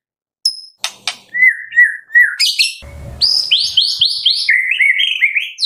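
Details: White-rumped shama song used as a morning-to-afternoon lure to prompt shamas to sing: a rich, varied phrase of sharp high whistles, slurred mid-pitched notes, then a fast run of bright descending chirps.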